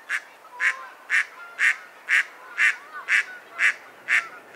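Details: Mallard quacking steadily: nine harsh, nasal quacks in a regular rhythm, about two each second.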